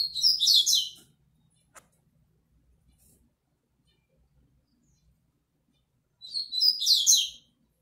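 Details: Double-collared seedeater, a male singing face to face with a female, gives two quick, high twittering phrases about six seconds apart, each a jumble of bright, sliding notes, with a soft tap between them.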